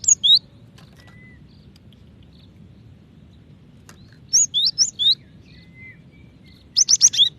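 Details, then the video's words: Female cinereous tit calling to a male, meant to spur other birds into faster singing: brief groups of sharp, high, curving whistled notes, separated by pauses, with a faint thin tone between bursts. "Gelatik Batu Betina Memanggil Jantan ( cepat bunyi )"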